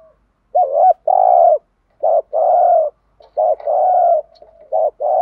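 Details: Decoy spotted dove cooing to rouse other caged doves into calling: three low phrases, each a short bent note followed by one long, steady, slightly buzzy coo, with brief pauses between them.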